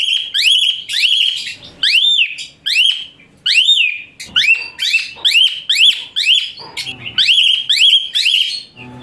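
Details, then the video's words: Asian pied starling training song: loud, piercing upswept whistles in quick groups of two or three, each slurring into a held shrill note, continuing steadily with brief pauses. "Masteran Sadis TEMBAKAN KASAR Suara Melengking Tinggi Kicau Jalak Suren Gacor"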